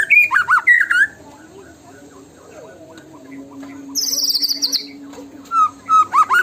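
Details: White-rumped shama song: a few fluty, twisting whistles, a long quiet gap with a faint low hum, a high rapid trill, then more slurred whistled notes.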